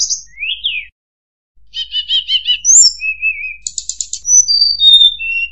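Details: Sunda robin song played as a trapping lure: a falling whistle, then a pause, then rapid stuttering pulsed notes, a rolling trill, a buzzy burst and high descending whistles. Clean background.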